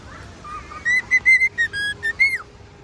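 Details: Male cockatiel singing outdoors: after a soft quiet start, a run of seven clear whistled notes in quick succession, mostly level, the last one rising and then dropping sharply, with a faint steady background tone.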